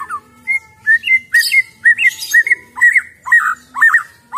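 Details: White-rumped shama, raw wild-caught bird, repeating a short upslurred whistle about twice per second, some notes harsher and buzzier, with quiet scratchy noises between.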